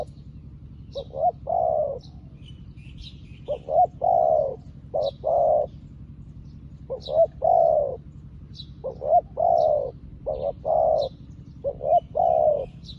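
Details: A spotted dove used as a decoy, newly caught but calling to wild doves like an old one. It repeats a coo phrase three times, each made of short clipped notes and longer soft coos. Thin high chirps sound in the background.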